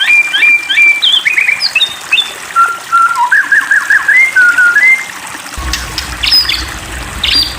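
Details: White-rumped shama provoked into singing: varied clear whistled phrases, slurred and rising notes around mid pitch, a short rapid trill, then high sharp notes near the end alongside a low steady hum.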